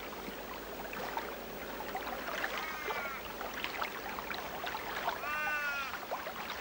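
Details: Australian raven in the remote Kimberley, Australia (1997), giving two drawn-out, wavering, sheep-like wails about three seconds apart over a steady rushing background noise.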